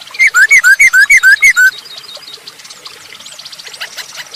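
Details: Masked laughingthrush in lively song, used as a lure to get other birds singing: a fast run of about eight loud, clear whistled notes alternating higher and lower pitch in under two seconds, then faint high chattering.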